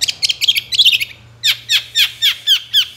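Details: Long-tailed shrike singing vigorously, used as a lure so shy shrikes answer. Rapid high chattering notes, then a run of six loud, downward-sweeping whistled notes about every quarter second, with a low hum beneath.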